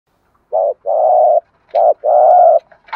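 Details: Male and female spotted doves cooing to stir up a trained bird: low, hollow coos, each a short note followed by a longer, steady drawn-out one, repeated in two pairs over a quiet background.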